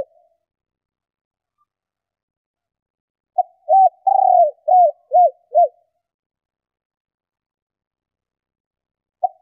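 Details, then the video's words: A single cooing phrase from a female spotted dove calling to rouse males: a pickup note, a coo, a longer burry note, then three crisp arched coos. Long silences come before and after the phrase. "Tiếng Chim Cu Gáy Mái Kích Bổi Nhanh Gáy"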